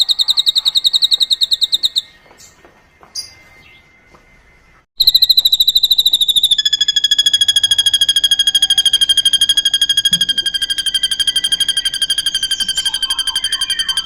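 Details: Srigunting, or drongo, performing a cililin imitation used for tutoring songbirds: quick high pulsed notes, a short silence with faint clicks, then a sustained, fast run of sharp whistles gliding slightly lower.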